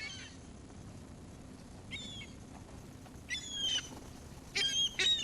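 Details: Seagulls being fed give loud, high, strained squealing cries in separate bursts of about half a second. Several birds overlap near the end against a faint low background hum.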